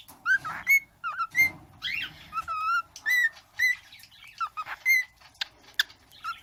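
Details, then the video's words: Pet bird almost one year old whistling a tune it learned from its owner, the Addams Family theme: short rising whistled phrases repeated with clicks and chirps between them. "bird singing the Adams Family, making kissing sounds and going "ahh!""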